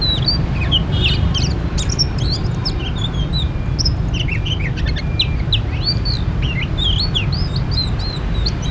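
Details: Oriental magpie-robin heard at a trapping site sings bursts of sharp whistled notes, upslurs and hooked phrases, with short pauses between groups, against steady loud low-pitched background rumble.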